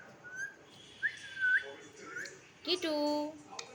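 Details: Parakeet aged fourteen, kept as a pet, matching people's whistling: a few soft clear whistles with upward slurs, followed by a louder harsh, buzzy, harmonic-rich sound lasting about a second.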